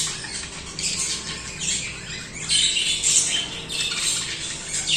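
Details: Singing budgerigars give a rolling mix of high scratchy chirps, squeaks and raspy warbles, louder in the second half.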